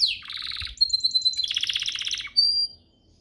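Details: Canary singing a training master song: a descending sweep into a fast rattling trill, then a sustained pure whistle, a second rapid trill, and a final short high whistle before silence.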